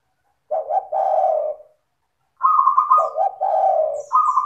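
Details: Spotted dove cooing in a clear, melodious, rapid style, played to provoke other doves to answer; a low double coo phrase, a pause, then a buzzy trilled note running into another deep coo and a final trill.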